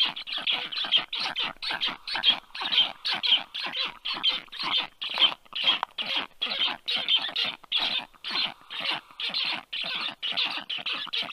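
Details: Black stork nestlings give rapid, harsh, rasping screams, about two per second, in a steady chorus as a strange adult lands above the nest at 1:30 p.m. on 4 July 2022; the stranger whistles and clatters its beak while the young beg, then turn defensive.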